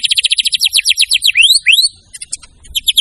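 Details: White-rumped shama singing hard, showing off its repertoire. A rapid burst of sharp repeated notes leads into two loud upward-sweeping whistles, then scattered high ticks and a renewed quick trill.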